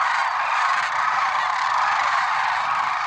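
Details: Lesser sandhill cranes at Merced National Wildlife Refuge on an early February 6, 2023 morning; a dense, unbroken chorus of overlapping honking and rolling calls from many birds fills the whole stretch.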